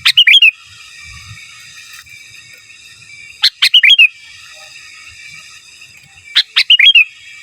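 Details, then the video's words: Sooty-headed bulbul master song in giras and menggaruda style: three short bright phrases, each a sharp click followed by quick up-and-down whistled notes, spaced about three seconds apart against a quiet background. "Suara Burung Kutilang Gacor Giras dan Menggaruda Cocok Untuk Masteran"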